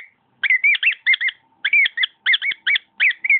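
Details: A pet cockatiel warbles a varied phrase of looping, bending whistles and chirps in quick clusters, with a short pause partway through.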